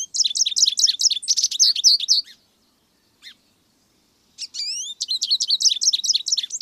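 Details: American goldfinch song in two bursts: a quick series of high, bouncy twittered notes for two seconds, a lone chip after a pause, then a thin rising whistled phrase leading into another long twittering run.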